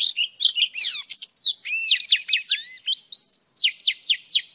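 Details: Oriental magpie-robin female in full song meant to stimulate a male: a rapid jumble of high twitters, then sweet upslurred whistles, ending in a rhythmic series of five crisp, repeated downstroked notes.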